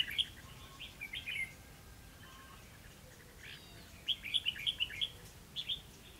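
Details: Red-whiskered bulbul caught on a trapping outing, 11 November 2016: clear ringing chirps in two clusters, the later one a fast string of about six bright notes.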